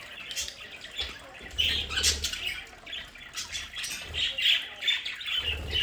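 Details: Several pet budgerigars in a home play area give squawky, buzzy chirps and short warbled notes, loosely repeated in quick irregular bursts, with some flapping or rustling and low background hum.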